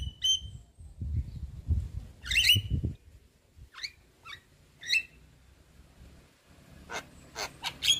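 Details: Javan myna with white eyes, nodding, used as a singing lure for a quiet bird; scattered harsh rasps and short whistles separated by gaps, with a low rumbling background.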